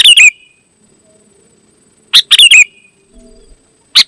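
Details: Sooty-headed bulbul song used as a lure to call other bulbuls: short bursts of three or four bright, chirpy notes with a ringing tail, one phrase near the start and another about two seconds later, then a single note.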